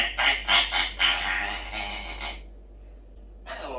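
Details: Pet parrot's morning chatter while singing a SpongeBob song: a rapid run of harsh, rasping squawks, about four pulses, that merge into a drawn-out raspy note, then a short silence and another grating squawk, indoors.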